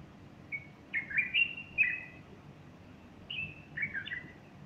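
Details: A bulbul's morning song on 30 August 2015, a female perched beside it with feathers puffed; a thin lead-in note, then tumbling whistled phrases that rise and fall, followed by a second warbled phrase.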